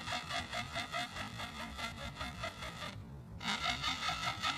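A woolly-necked stork gives a dry, rasping, clattering series of pulses, about two and a half per second, broken by one short pause.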